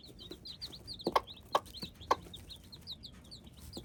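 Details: Hybrid chicks cheep in quick high notes throughout, while several loud, low knocking pulses land about half a second apart in the middle.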